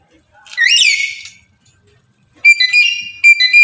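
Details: Breeding male black-capped lory calling to a female: one loud, rising, harmonic screech, then after a pause a run of flat, nasal, whistled notes.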